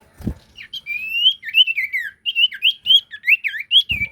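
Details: Sirtu bird singing loudly and continuously, used as a lure recording: a rapid, run-on series of clear whistled notes, mostly rising and falling slurs, with brief soft thumps at start and end.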